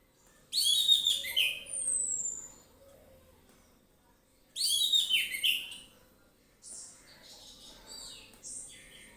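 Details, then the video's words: Orange-headed thrush singing relaxed 'ngeplong' song: two loud, dense phrases of tumbling whistles and slurred notes about four seconds apart, a thin descending whistle after the first, and quieter scratchy twitters at the end. "ANIS MERAH NGEPLONG SANTAI"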